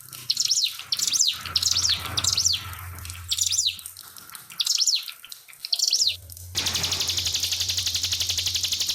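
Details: Pied fantail song in a master recording with trickling water added: a series of high, sharp, rising-then-falling chirps repeated roughly every half second, over a low hum, ending in a steady rapid ticking buzz.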